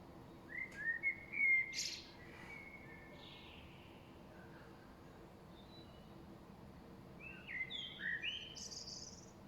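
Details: Late-afternoon spring birdsong dated 5.3.2023, with a blackbird described as singing loudest: two short warbled phrases near the start, a long quiet gap, then another cluster of clear whistled and high chirping notes.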